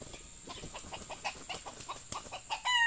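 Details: A junglefowl, during the luring of a young male with a decoy, gives a quick run of soft, clipped clucks about five a second, then breaks into the harsh, harmonic start of a crow.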